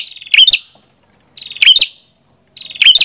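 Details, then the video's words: Three phrases from a red-headed prinia: a soft pulsed rattle rising into a bright, buzzy, twisting chirp, repeated about every 1.2 seconds. Clean, quiet background. "Suara Burung Prenjak Kepala Merah"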